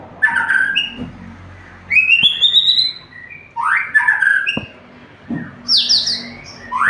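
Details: White-rumped shama singing an energetic 'full isian' song, a song packed with fill phrases: loud whistled phrases with sweeping and rising notes, bursts about every second, separated by brief quieter gaps.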